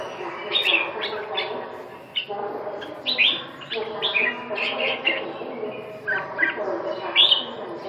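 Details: Chào mào, the red-whiskered bulbul, singing a run of bright, clipped whistled notes, some rising and some falling. The notes come in clusters roughly every second over a constant low background drone.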